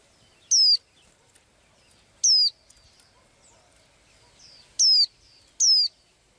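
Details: Daily singing from a small bird with blue eyes: crisp, high whistled notes that drop in pitch, four in total, the last two coming closer together, over quiet surroundings.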